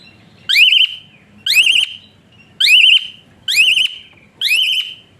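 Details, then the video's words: Asian pied starling with whistling song meant to rouse lazy birds into singing: five loud rising whistles, each ending in a wavering trill, spaced about one second apart over a quiet background. "Burung Bersuara PELUIT Jalak Suren Tembakan Kasar Rapat"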